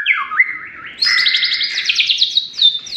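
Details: Clear whistled song of a white-rumped shama: falling and rising slurs lead into a long, high, fast-trilled run of bright notes.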